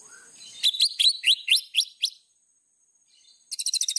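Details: White-rumped shama master song for training: a series of sharp rising whistled upslurs, a pause, then a fast high buzzy rattle begins.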